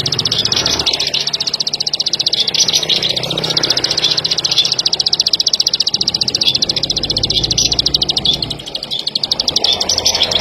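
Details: Plain prinia delivering a sustained, fast train of sharp, high ticking clicks, steady and insect-like throughout, with a short dip near the end.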